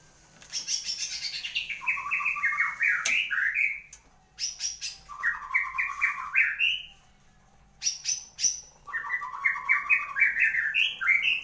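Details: Kept white-rumped shama in full song after moulting: three long strophes, each opening with high rapid notes and moving into stepped, warbling phrases that climb upward, separated by short silences, with light clicking sounds.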